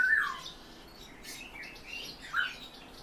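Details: A captive European bee-eater gives two brief, rolling, mid-pitched calls about two seconds apart, with faint higher chatter in the background.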